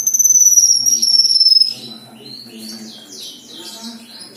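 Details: Singing black-winged myna opens with a loud, sustained high whistle that wavers and falls slightly, then switches to a run of quick, varied chirps and slurred notes over a low hum.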